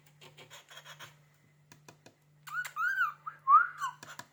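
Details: Pet cockatiel reacting to a finger scraping a cupboard door: scratchy clicks and scraping first, then bright arched whistles and a rising squeaky note, over a steady low electrical hum.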